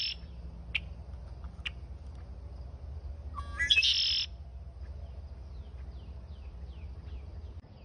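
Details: Birds chattering in the morning: a few isolated sharp chirps, then a loud buzzy squawking burst lasting about half a second, followed by faint, repeated down-slurred chirps in the background over a steady low hum.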